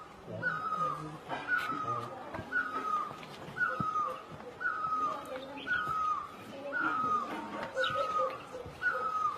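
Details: Steady series of great barbet calls in Asia, clear falling notes spaced about a second apart, nine or ten in sequence, over soft low chirps and light ambient noise.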